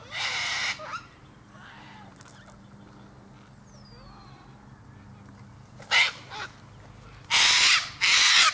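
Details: A harsh cockatoo screech opens, then a long quiet stretch with faint sounds, before three more rasping screeches close the sequence.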